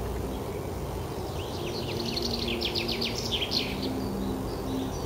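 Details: Chaffinch singing in early spring, one of the first songs of the season: a quick run of bright descending notes speeding into a short flourish about two seconds long, over a steady low rumble of distant traffic.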